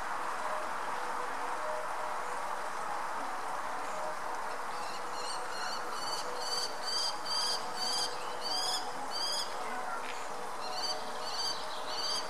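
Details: European robin, resting and preening, gives short, high, sharp call notes, about two per second, starting partway through, over a steady background hiss.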